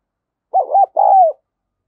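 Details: Decoy spotted dove of the đồng son voice type calling to attract other doves. A brief stuttered coo runs into a long arched note, followed by a longer coo that slides downward.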